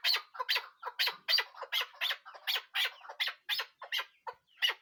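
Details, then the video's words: Chukar partridge calling steadily: a rhythmic series of rasping chuck-chuck notes, evenly spaced at roughly three per second, loud and harsh throughout. "keklik sesi chakor awaz"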